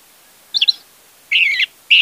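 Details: Orange-headed thrush song played as a lure to prompt a silent bird to sing: three short bright phrases, a twittering burst then two brief rich warbled notes, separated by quiet pauses.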